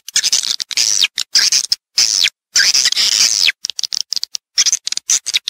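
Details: Swiftlets in a stereo calling and roosting recording: shrill, drawn-out twitters ending in downward-sweeping whistles, then a quick, stuttering chatter toward the end.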